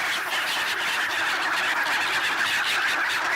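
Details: Large flock of black-headed gulls crowding to be fed bread at a swan wintering site in Ibaraki Prefecture, Japan, on 28 December 2017. A dense, continuous chorus of harsh, overlapping squawks fills the mid and upper range without pause.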